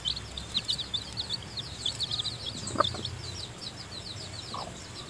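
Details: Chicks just hatched, still in the nest with the hen feeding them, make a rapid run of shrill peeps that thins out midway, with a couple of sharp taps and a faint lower note.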